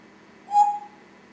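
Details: African Grey (Congo) parrot kept as a pet indoors, giving a single short clear whistle at steady pitch right after its owner greets it; quiet room hum behind.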